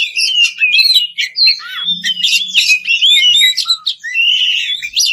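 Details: Melodious ngeplong song of an Oriental magpie-robin calling a rival: flowing whistled phrases with rising and falling slurs and scratchy chatter, plus a faint low thud or two in the background.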